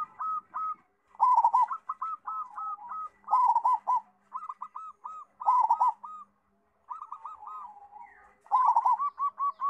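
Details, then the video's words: Loud-voiced local zebra dove used to teach young doves, cooing in clustered phrases of hollow, bouncing notes, each burst ending in a louder stuttering flourish, separated by short silences. "PERKUTUT LOKAL GACOR (SUARA BESAR) COCOK BUAT AJARAN PERKUTUT BAHAN"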